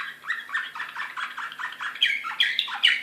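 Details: Excited Serbian singer canary (slavujar) from Belgrade, 2016, in a varied song of quick chirping notes and rolling trills, mostly mid-pitched, with sharper bright accents later on.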